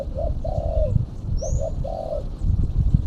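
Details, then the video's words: Female spotted dove lure call: two soft, mellow coo phrases, each a short note followed by a longer drawn-out coo. Steady low rumbling background noise throughout. "Suara burung tekukur betina /pikat tekukur betina"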